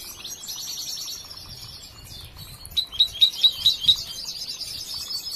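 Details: Young European goldfinch still in training: soft twittering chatter, then a run of six sharp bright high notes about every quarter second, followed by buzzy twittered phrases.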